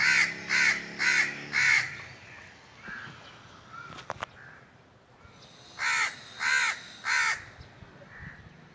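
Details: Two bursts of hoarse cawing from a crow, four quick caws followed by a quiet stretch with a few soft distant notes and a sharp click, then three more rasping caws in even rhythm.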